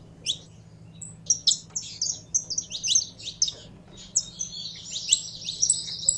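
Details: Saffron finch warming up: chirps that speed into a dense buzzy trill toward the end, mixed with thin high whistles, soft hum below.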